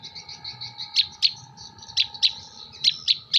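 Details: Long-tailed shrike (cendet) from Jember singing imitation material; a soft warbled trill broken by loud sharp chip notes, often in pairs, about four per second, over a faint steady hum.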